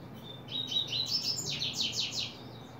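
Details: Double-collared Seedeater (coleiro) opening its song, July 2024: a few clear whistled notes, then a run of rapid buzzy descending strokes repeated about five times, over a low steady hum.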